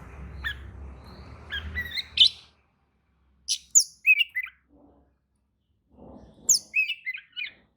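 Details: Oriental magpie-robin singing sharp whistled and chirped notes high in pitch, in bursts with pauses, a song said to make other magpie-robins answer excitedly; low rumbling background noise at the start, faint thumps later.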